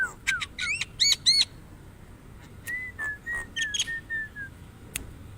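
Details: Javan myna: a quick cluster of harsh, buzzy notes with rising whistles, then a series of about six even, level whistled notes, closing with one sharp click.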